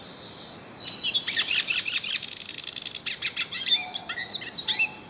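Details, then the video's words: Yellow-faced siskin singing continuously outdoors: a rapid, high, chattering warble of quick trilled notes and bright slurred whistles, ending with sharp upswept chirps over a soft low tone. "PITASSILGO DO NORDESTE CANTANDO MUITO NA NATUREZA - CANTO DO PINTASSILGO DO NORDESTE"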